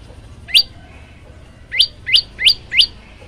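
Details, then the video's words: Male prinia (prenjak lumut) captured on a phone as a training recording: one loud upsweeping chirp, a short gap, then four more evenly spaced rising chirps, bright and sharp. "pjl gacor"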